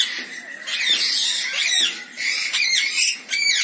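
Rainbow lorikeets give harsh, grating screeches in bursts about every second, high and raspy, over a faint steady high whine.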